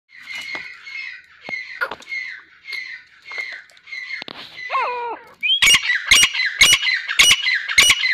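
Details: Female grey francolins fighting: a series of harsh, nasal squawks repeated about every second, then a loud burst of raspy, broadband screeches with wing-flapping noise.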